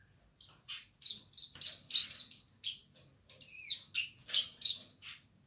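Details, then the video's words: Singing Streaked spiderhunter, described as gacor nganar: a steady series of loud, sharp, high chirps roughly every quarter second, a brief gap, then a faster stretch with a buzzy trill; faint low hum beneath. "Pijantung Gunung Gacor Nganar"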